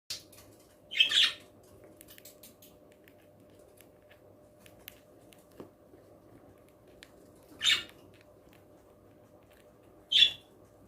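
Young budgerigars give a few short, raspy, high chirps spaced several seconds apart in a quiet room.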